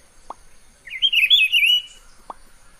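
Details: Wild Rufous-browed Peppershrike singing in nature in Pernambuco, Brazil, a shy bird hidden in vegetation: one loud, rich warbled phrase lasting about a second, rolling up and down, framed by two brief low knocks.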